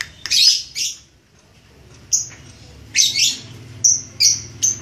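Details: Red-headed lovebird practising its chattering trill: harsh, high squawky bursts in pairs, then thinner whistled notes, each sound short and separated by brief pauses.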